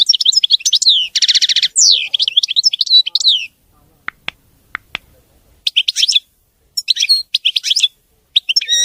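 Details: European goldfinch, known as maqnin, delivering a clean, error-free song: dense liquid twittering with a buzzy rattle, a pause broken by a few sharp clicks, then further bright chattering phrases.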